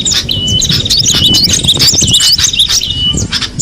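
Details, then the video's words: Cinereous tit singing in the wild: clear, high whistled notes repeated about twice a second, with sharp chips mixed in. There is a low rumble of background noise. "suara burung gelatik batu di alam bebas"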